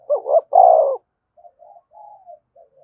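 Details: Spotted dove cooing, played to stimulate other doves to coo: two short hooting notes followed by a longer, loud falling coo, then faint, soft trailing coos.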